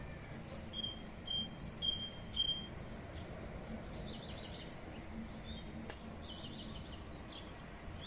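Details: Tit singing in spring: a few seconds of high, clear two-note phrases, the first note higher, repeated in quick succession, then only faint distant chirps over a low rural hum.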